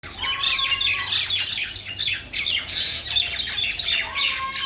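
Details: Mynas in a Bangladeshi village give dense, harsh chattering squawks and chirps that overlap continuously. Two lower, level whistles stand out near the start and end, and a steady low hum runs underneath.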